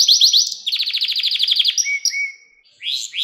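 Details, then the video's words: Canary singing for young birds to learn from: a few rising notes, a rapid rolling trill, two short flat whistles, silence, then more rising notes. "Ders Gibi Kanarya Sesi Ve Ötüşü 2 Saat Kesintisiz"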